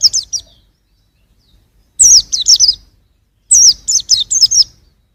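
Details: Short, intense bursts of very high, twisting chirps from a young white-eye, 2021, with a long silent stretch between the first and second phrases.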